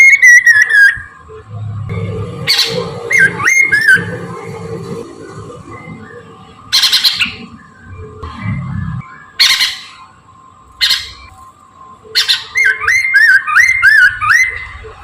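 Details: Chinese hwamei singing in the morning as a bird lure: a brief whistled phrase opens, then scattered sharp chirps and clicks with low thumping noise, before a longer run of lively, wavering whistles closes the passage.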